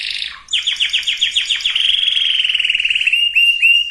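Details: Canary singing to condition birds of both sexes for breeding. A short buzzy roll drops into a run of about twelve quick falling notes, then a long even rattling trill and two clipped notes.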